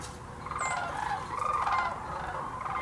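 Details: Sandhill cranes by the thousands at the Hiwassee Wildlife Refuge in Birchwood, East Tennessee, where they come each year on migration. A dense chorus of overlapping rolling, trumpeting calls blends into a steady murmur.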